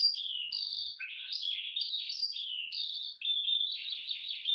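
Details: Eurasian skylark in Hungary, which sings while flying high up: a continuous, fast-flowing stream of high chirps, trills and short whistles, jumping rapidly between pitches without pause.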